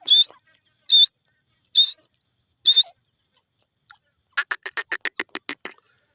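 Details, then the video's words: Grey francolin (teetar) giving four loud, shrill, whistled notes, each about a second apart, followed by a quick run of shorter clipped notes. "grey francolin bird sound,teeter ki awaaz"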